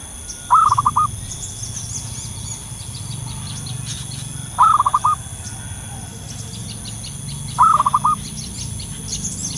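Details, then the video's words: Local wild zebra dove lure calling. Three brief mellow coos come about every three seconds, each a rising note followed by two quick beats. Distant faint chirps and a constant low rumble fill the gaps. "suara pikat burung perkutut lokal gacor di alam liar"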